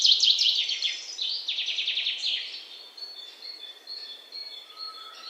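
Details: Young Alexandrine parakeets recorded on 19 May 2023 give fast series of sharp, high, downward-sliding chirps, several per second, that fade into softer, thin, scratchy notes toward the end.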